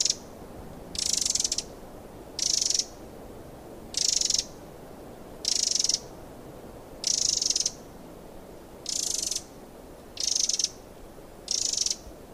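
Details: Eurasian wren in the wild calling persistently with harsh, ratchet-like rattles, nine bursts about every second and a half, over continuous low hiss.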